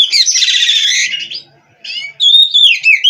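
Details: Captive-bred Oriental magpie-robin (kacer) in full song: a burst of dense buzzy chatter, a brief pause, then clear sliding whistles.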